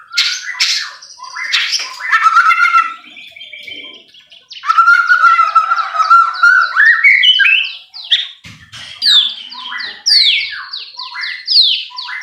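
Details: White-rumped shama song used as a lure to provoke other shamas into fierce singing: rich, varied phrases of clear whistles, sweeping slurred notes and quick chattering bursts separated by brief pauses, with no other sounds.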